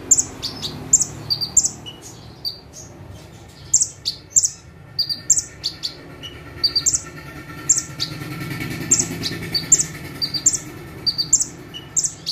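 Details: Bar-winged prinia, called ciblek or prenjak tebu, sitting still on one perch and delivering a lively full 'tembakan' song: piercing high chips in quick pairs and runs across the whole stretch, with soft traffic-like rumble and hum beneath.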